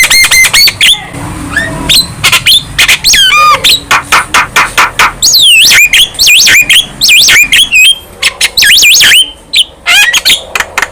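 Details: Lively song of a young Javan myna, bobbing its head, said to provoke other birds: fast runs of loud harmonic notes, a rattling trill, swooping whistles and a hoarse burst near the end.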